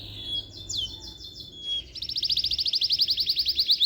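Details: Canary singing: a long steady whistled note, then rising sweeps, then a fast, even, buzzy trill of repeated high notes; quiet background.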